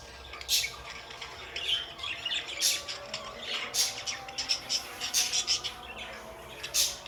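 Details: Pet budgies twittering in rapid, rasping high chirps and squeaks at a busy, uneven pace across several seconds, with quiet steady tones underneath.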